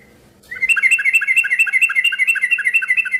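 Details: Yellow-vented bulbul pouring out a continuous, fast bubbling chatter of paired high and low notes, the lively noisy song meant to get other bulbuls to respond.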